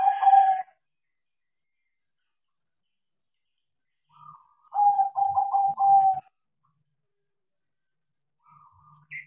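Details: Tame crossbred zebra dove, Bangkok type, trained to sing: one rolling phrase of four or five quick mellow coos ending in a steady purring note, preceded by a brief coo fragment, with short faint coos between and otherwise quiet pauses.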